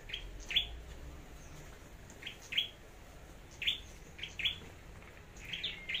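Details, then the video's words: Red-whiskered bulbul in competitive singing, a decoy bird from Long Thành: short, bright, sharply rising notes, singly or in quick pairs and threes, about once a second over faint low background hum. "Chim Sâu Đầu Đỏ Hót Đấu"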